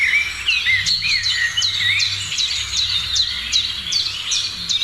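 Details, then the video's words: Morning birds sing, one repeating a sharp, high descending note about every half second over a lower warbling whistle, while other chirps overlap and a soft low hum continues. "Morning sounds of birds"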